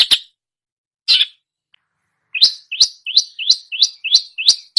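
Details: Long-tailed shrike mimicking songbirds: a couple of isolated sharp notes, then a quick run of repeated upward-flicking chirps, about three per second.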